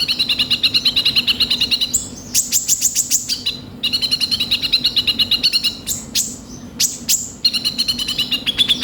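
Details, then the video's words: Sunbird, local name kolibri ninja, in full rough-filler song: long buzzy chattering trills switching to very high rapid ticking bursts, then back to the trill, repeated. "Pancingan suara burung kolibri ninja gacor full isian kasar"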